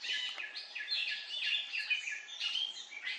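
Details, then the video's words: Siberian blue robin at Khuangthli, Reiek and its surroundings, Mizoram: dense, bright chirping notes in quick runs, some dropping in pitch, packed closely with barely a pause between them over a quiet background. "Siberian blue robin"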